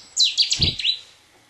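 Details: A single abrupt phrase from a showy Cetti's warbler, recorded from the bittern hide at RSPB Minsmere, 3 June 2011: an explosive burst of about five loud, sharp notes in under a second, then silence.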